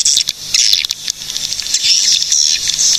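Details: Swiftlets in Cilacap, Central Java, Indonesia, give a shrill, buzzy chatter of many overlapping high notes, with hissing trills and quick ticks swelling and fading across the recording.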